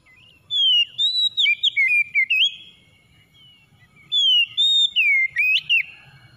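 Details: White-rumped shama song, used to stimulate a stressed bird; two bursts of quick whistled phrases about three seconds apart, each with sliding, looping notes, the first longer with around eight notes.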